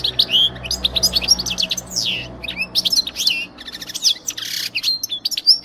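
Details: Training song of a European goldfinch for conditioning young birds: dense, lively twittering with liquid chirps, rising and falling slurs and buzzy notes, continuous throughout over a low steady hum.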